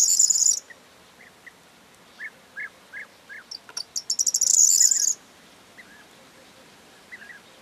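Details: Corn bunting song on 4 June 2022. A loud, high jangling burst opens. Then come spaced soft chips, accelerating clicks and a second bright, jingling rattle lasting over a second. Quiet background.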